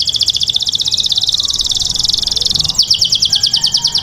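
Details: Male canary singing to a female: fast buzzy trills of repeated high notes, about three per second, shifting at mid-clip into a sharper, higher rapid series.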